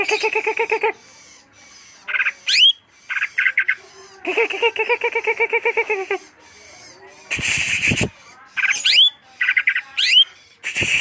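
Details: Greater green leafbird singing: bursts of rapid harmonic chattering notes alternating with sharp rising whistles and a few loud broadband clicks, with short pauses between phrases.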